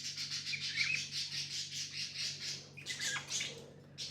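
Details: Chirping pet budgies: a fast, evenly pulsing rasping chatter for about two and a half seconds, then brighter chirps and a sharp closing note, over a low hum.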